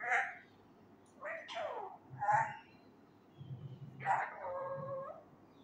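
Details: Pet male Indian ringneck parakeet, young and learning words loudly, utters a series of short speech-like phrases in Urdu, the last one drawn out with clear tonal harmonics, separated by brief pauses, with faint room hum.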